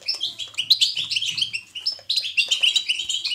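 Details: European goldfinch in natural batbata twittering, used to stimulate caged goldfinches to sing. It has high, jangling trills and sharp tweets, a brief break after two seconds, then a renewed rush of tinkling notes, with a faint low hum early on.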